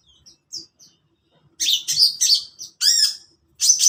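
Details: Long-tailed shrike at morning, with soft scattered high notes, then a burst of loud scratchy chirps, a strong downslurred harsh note, and a final sharp call.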